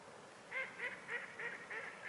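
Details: Mute swans at Loschwitz harbour in Dresden, Germany, late at night on 14 November 2017 around 23:57; a quiet series of six short nasal, honk-like notes spaced roughly a third of a second apart over faint background hiss.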